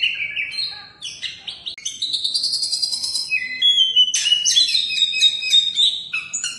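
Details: Competition-winning oriental magpie-robin, first-place champion, singing a rich continuous song of whistled notes and buzzy rapid phrases, shifting between high and mid pitches with brief pauses, strong and unbroken.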